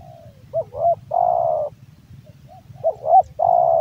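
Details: Male spotted dove, Javan type, kept as a hobby bird, singing its big voice: two cooing phrases, each of short rising notes and then a long, steady, slightly falling coo, with a low rumble behind.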